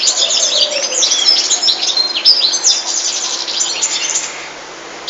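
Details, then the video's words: European goldfinch song of fast, high, tinkling twitters repeated at a quick pace, with sharper notes in the middle and the phrase fading a little toward the close. "Goldfinches(carduelis) Amazing Singing"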